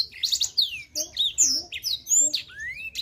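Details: Blackthroat canary singing 'super gacor', keen and nonstop: short bursts of high buzzy notes, sweeping whistles and rising slurs delivered in quick pulses about every half second.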